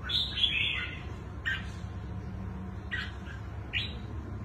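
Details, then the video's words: Newly wild-caught red-whiskered bulbul with a large, long body, praised for its fine twisting voice. It gives a bright warbled phrase, then short chirpy notes at spaced intervals over a steady low hum. "Chú chim bổi giọng xoắn hay"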